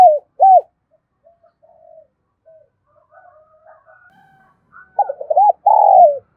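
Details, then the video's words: Decoy spotted dove from Đồng Nai, Vietnam, calling to lure wild doves: a brief coo at the start, faint low murmuring notes in between, then a loud phrase of arched coos ending in a long falling note. "Tiếng chim cu mồi gáy gọi vang cả bản làng Đồng Nai"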